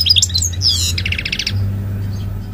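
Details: Brief goldfinch song fragment: a few tinkling twittered notes and a short buzzy trill, then fading into a low steady hum.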